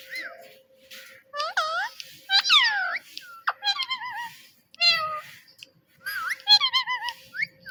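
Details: A talking parrot repeating the word "Mitthu", an affectionate South Asian name for parrots; bursts of sharp, swooping, harmonic squawks and slurred syllables come in short phrases separated by brief pauses.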